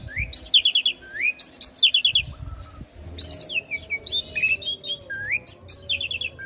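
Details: Asian pied starling song used for young birds to imitate: repeated phrases of a rising whistle followed by a fast descending triple note, with a low hum underneath.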